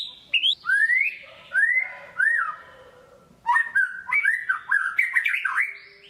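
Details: White-rumped shama, a kept songbird, giving a lure song to prompt silent birds: rising slurred whistles spaced apart, a short lull, then a quick chattering string of warbled notes.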